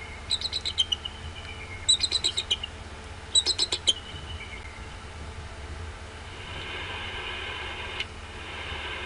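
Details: Decorah male bald eagle rising from its eggs at dawn on 23 February 2016, calling out and getting an answer. Three quick runs of high, piping chitters in the first four seconds, then only a steady hiss with a faint click.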